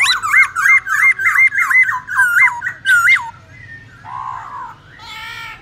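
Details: Wild-type song of a black-throated laughingthrush, used for training young birds: a rapid series of about ten loud looping whistled notes, then softer harsh, buzzy chatter.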